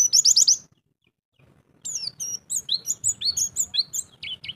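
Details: Short fast trill of about five bright notes from a pleci (white-eye), champion bird, ngalas style with mimicked phrases, then over a second of quiet before lively, jumpy chirping resumes.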